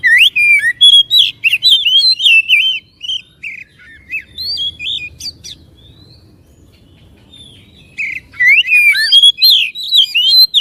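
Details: Caged-bird provocation song of a white-rumped shama: lively strings of loud whistled slurs and high ticks, a long quiet stretch with faint low rumble, then the varied whistling resumes strongly.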